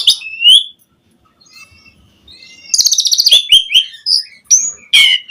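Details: Vigorous Asian pied starling singing a rich, varied song meant to coax other starlings into singing: a rising whistle, a quiet gap, then a rapid buzzy rattle followed by clear whistled notes and sharp chips.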